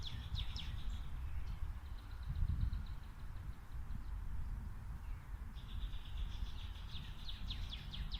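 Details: Female Northern cardinal singing and chirping: short sharp slurred notes at the start, a quiet level whistled series, then a renewed run of quick down-slurred whistles, all over heavy low rumbling noise.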